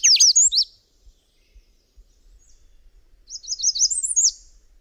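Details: Subalpine warbler (Sylvia cantillans) giving a short burst of slurred high notes, then a thin, quick, rising-and-falling twitter after a gap. Faint low rumbling sits beneath.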